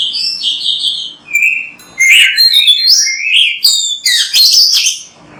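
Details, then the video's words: Oriental magpie-robin in energetic, varied song recorded to encourage other birds to sing, with bright whistles, sliding notes and rapid high chirps packed closely together. "MASTERAN BURUNG KACER GACOR BERSUARA MANTAB"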